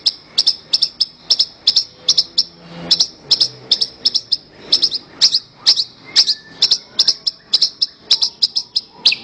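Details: Horsfield's bush lark master song for training birds: rapid, steady series of sharp high chirps, roughly three per second, running throughout with little variation.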